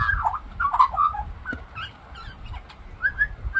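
An Australian magpie sings a quiet, varied warble of fluting and gurgling mid-pitched notes, borrowing phrases from other birds, over a low background rumble.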